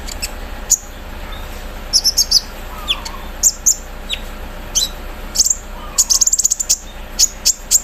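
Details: Caged Javan sunbird singing vigorously while set out in the morning dew, its song said to include mimicry of an embroidery machine: sharp, high, thin chirps and short trills scattered irregularly, with a brief rapid burst near the end.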